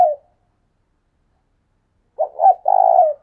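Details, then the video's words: Decoy spotted dove calling. A brief coo fades out, then after two seconds of silence comes a phrase of two short notes and a long, rolling, vibrating coo. "Chim cu mồi thúc sung"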